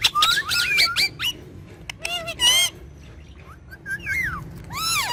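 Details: Talking parrot pair kept as pets: a quick jumble of looping whistled notes, then loud buzzy squawks, and finally soft bending whistles and arched chirps.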